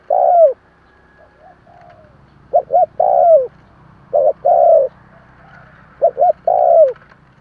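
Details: Spotted dove cooing: phrases of two short clipped notes followed by a longer, mellow coo that slides downward at the end, repeated about every two seconds in a quiet setting.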